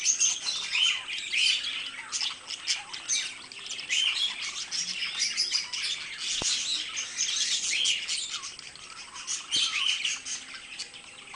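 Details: Continuous warbling chatter from a pair of pet budgies: dense, high, scratchy twitter with quick chirps and buzzy notes running without pause, plus one sharp click partway through.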